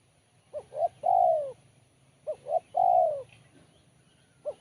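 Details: Spotted dove, sharp and crisp. Two evenly spaced phrases, each two quick short coos and then a long, strong coo that sinks in pitch, and a new coo begins at the very end. Faint low hum.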